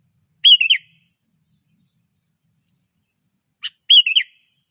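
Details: Sooty-headed bulbul in training, 'cengkram' style, giving two identical bright, bubbly whistled phrases that rise then tumble down, about three seconds apart, with a single tick before the second phrase and silence between.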